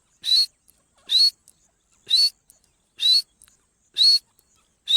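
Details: Dakhni partridge (teetar) gives a loud, harsh, slightly rising note about once a second, steadily repeated, with only faint clicks between calls.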